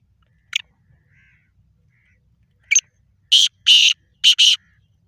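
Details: Black francolin, an eight-month-old bird: after a few faint clicks, a loud harsh rasping call of four grating notes, two longer then two shorter, with broad buzzy energy in the upper range.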